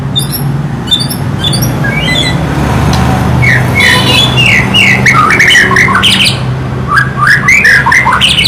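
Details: White-rumped shama singing varied clear whistled phrases that slur up and down, mixed with sharp high chips early on, over a steady low engine-like rumble throughout.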